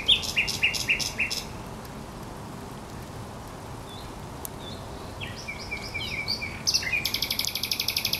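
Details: Thrush nightingale on the Żerań Canal, recorded 24 April 2022, opening with loud, evenly repeated piping notes, pausing with faint calls, then ending in a fast, buzzy rattle of very high notes.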